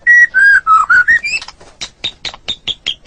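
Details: White-rumped shama song used as a training recording for caged songbirds: clear whistled notes falling then rising around a steady pitch, followed by a run of short sharp chips repeated about four times a second.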